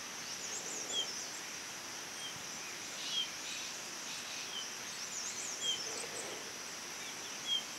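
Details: Female blue-capped rock thrush (Monticola cinclorhyncha) calling: short, thin, high notes at irregular intervals of one to two seconds, over a steady hiss of insects or background noise.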